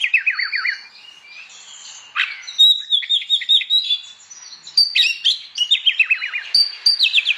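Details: Morning ngeplong song of an Oriental magpie-robin provoking other magpie-robins to sing; falling whistled note series, a run of quick repeated chips, then more descending slurred phrases.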